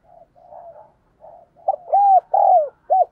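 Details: Decoy spotted dove cooing rapidly to call in wild doves; a few soft, low, muffled coos open, then four loud, clear, arched coos follow in quick succession with short gaps, no other sounds.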